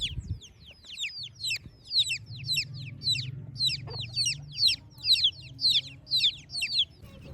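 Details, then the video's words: Village chicks on a morning: a rapid series of high, descending peeps, about two per second, from several chicks calling together, over a soft low background hum. "Cute Chicks Chirping Sounds"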